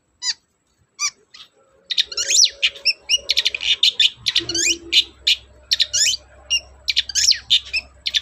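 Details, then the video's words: Long-tailed shrike song played as a lure to stimulate shrikes that are reluctant to sing: a few isolated sharp notes, then a dense, fast chatter of varied high notes, trills and downslurred whistles with no pauses. "BURUNG CENDET GACOR, PANCINGAN KHUSUS CENDET MALES BUNYI"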